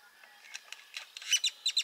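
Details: Great-tailed grackle recorded at Burrows Pond in Sac County, Iowa, giving a series of hard, percussive clicks that start soft and spaced out, then become louder and closer together.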